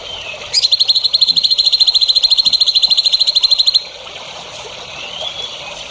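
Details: Training song for prospective champion songbirds: a sharp note opens a long, fast, evenly pulsed high trill of about three seconds, then faint rising whistles follow.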